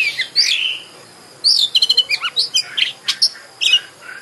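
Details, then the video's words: Lure song of an Oriental magpie-robin, or kacer, for making a bird sing and open its tail: a downslurred whistle, then a rapid string of sharp chips, trills and bright whistled notes. "Pancingan KACER agar GACOR dan EMOSI BUKA EKOR"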